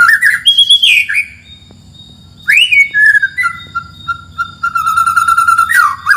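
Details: White-rumped shama in forest, singing energetically, used as a lure to make birds sing: loud fluty whistled notes, a steady phrase then a rising slur, a pause, and more long level whistles ending in a sharp upward flick.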